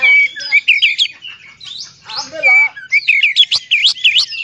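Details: Oriental magpie-robin singing, a recording meant to stir other magpie-robins into song: varied high whistles and warbles, a harsher mid-pitched rasp near the middle, then quick looping upswept notes.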